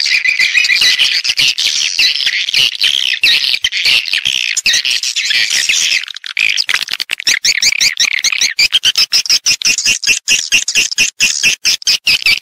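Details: High swiftlet twittering recorded in stereo as calling and roosting sounds: unbroken buzzy chatter for the first half, then rapid clicking chirps over a steady high trill.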